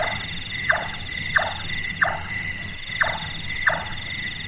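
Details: Night-active Large-tailed nightjar, called burung tukang for its carpenter-like sound, gives five hollow knocking chonks at roughly two-thirds-second intervals against a constant high buzzing of insects.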